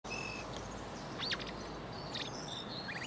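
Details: A male blackbird in Cambridge, England, on 25 March 2019 at 12:42 pm gives scattered thin, high chirps and one quick whistle sweeping steeply downward, over a steady outdoor hiss.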